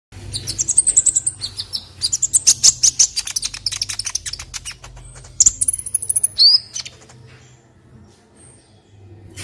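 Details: Olive-backed sunbird song used as a tutor recording for other birds: high, thin whistled phrases and rapid sweeping trills, with a quick run of sharp ticking notes in the middle and a quieter tail.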